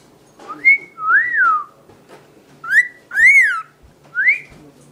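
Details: Singing to a Kleenex, a year-old pet cockatiel, male, gives clear looping whistles, rising then falling, with short gaps between them and a faint low hum behind.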